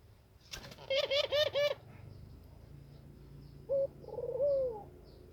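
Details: Spotted dove about to lay eggs, giving a quick run of three mellow, wavering coos, then after a pause a short coo followed by a longer drawn-out one; a sharp click sounds just before the first notes.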